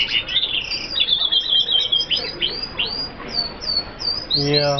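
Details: Twittering from an F1 hooded siskin, with buzzy trills followed by a string of downward-sweeping high notes, repeated about every half second.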